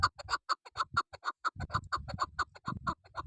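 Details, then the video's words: Female chukar partridge kept as a hunting decoy, giving a rapid series of harsh clucking chuck notes, roughly two per second, with low thumping noise underneath. "Shikari Chakor double sound .Female chakor sound.Keklik sesi voice."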